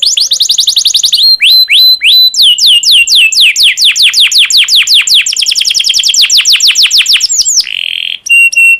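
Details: Domestic canary in breeding condition singing to spur other canaries into song: long runs of rapid downward-sweeping whistled notes, several per second, closing with a short buzzy trill and high ringing notes.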